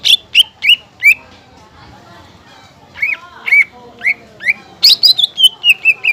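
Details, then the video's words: Greater green leafbird song used as a lure to stimulate other leafbirds and as a master song for training: bright rising upslurred chirps in quick bursts, a pause, then a fast run of high notes slurring downward. "PANCINGAN SUARA CUCAK IJO BUAT MASTERAN DAN CUCAK IJO BAHAN"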